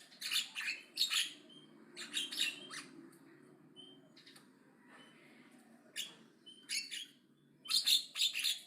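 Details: Javan myna singing aggressively with loud chatter: bursts of harsh, buzzy broadband squawks in clusters, about five groups over nine seconds, with short clear high whistles in the pauses between them.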